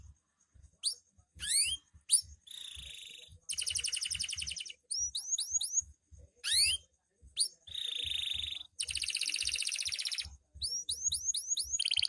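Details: Night-time canary song in loper style: varied phrases alternating crisp upswept chirps, buzzy rolled trills, and a sustained flat whistle, with short pauses between bursts.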